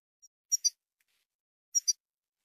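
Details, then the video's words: Tunisian European goldfinch gives two quick pairs of high, scratchy twittered notes about a second apart, with a faint thin whistle before them; otherwise quiet. "تغريد طائر الحسون التونسي Tweet du chardonneret tunisien"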